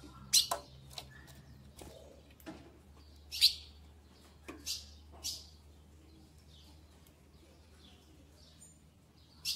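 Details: Female ultramarine grosbeak in mating solicitation, ready to pair. Brisk, high, clicking chips are spaced irregularly, some doubled, over a steady low hum.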